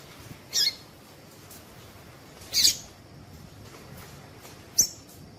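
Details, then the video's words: Female coleiro tui tui (Double-collared seedeater) giving three high, sharp, chipping notes about two seconds apart, a call meant to set males singing. Quiet hiss behind. "Piado de fêmea coleiro tui tui"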